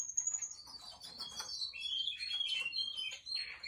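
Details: Russian canary singing a rapid, dense warble: high whistled notes sliding downward, then rolling trills and chirps run together without pause.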